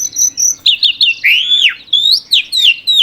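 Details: Asian pied starling in 'gacor' song, giving high thin whistles, a long slurred descending whistle and quick squeaky twisted notes, with a faint hum in the background.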